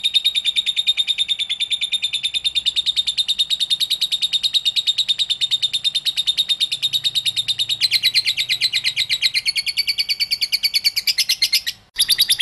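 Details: Lovebird ngekek, a long unbroken chatter meant to lure other lovebirds into calling: rapid, piercing, metallic notes repeated several times a second for about twelve seconds, growing harsher near the end before a brief break.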